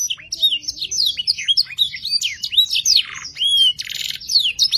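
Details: Canary song played as a lure to make young canaries sing sooner and learn varied phrases: a fast, continuous stream of high whistled sweeps, slurs and trills, with dense buzzy rattles in between.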